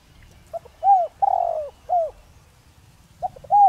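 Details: Spotted dove used as a decoy, its voice of the 'Đồng Rặc' style meant to draw calls from wild doves: a full phrase of clipped note, round hoot, long sliding coo and final hoot, then another phrase starting.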